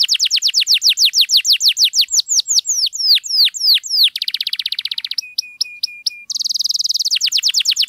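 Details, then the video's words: Canary singing to draw silent canaries into song, a long run of rapid falling whistled notes leading into a dense buzzing roll, short flat piping notes, then a bright high trill. "KENARI GACOR MANTAP DURASI PANJANG, AMPUH BUAT PANCINGAN KENARI DIAM LANGSUNG RESPON"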